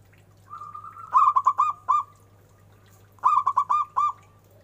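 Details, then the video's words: Zebra dove of local stock with a strong voice: a brief purring trill followed by a stuttering series of full, rounded coos, repeated once, with low steady hum in the background. "Perkutut lokal suara besar istimewa"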